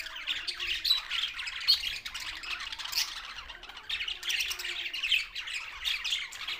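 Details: Budgerigars, Australian parrots, kept birds, giving dense overlapping chattering squawks and chirps, mostly high-pitched and continuous, with several birds calling at once.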